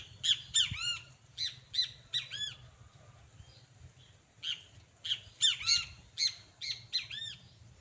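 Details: Two great kiskadees, a pair in the wild, call in lively runs of grating, arched squawks, often doubled notes, in two long series with a brief lull between, over a low hum.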